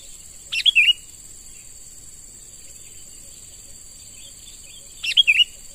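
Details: Young sooty-headed bulbul caught from the wild, now trained as a lure, calls two crisp bubbling phrases, each a sharp rising note then liquid chirps, some four and a half seconds apart; steady insect whine throughout.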